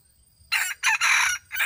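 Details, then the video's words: Red junglefowl cock from 2018 giving a loud crow that starts with a short burst and a clipped second note. A long strident held phrase follows, and another note begins as the recording ends. Near silence comes before it. "Qaib dib qua tau zoo heev"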